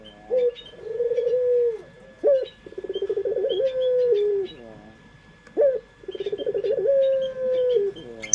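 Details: Domestic puter pelung dove recorded as a lure sound. Three long coos, each starting with a sharp rising note and then a trembling, pulsed hum that settles into a steady tone before dropping off. Soft chirps sound in the background.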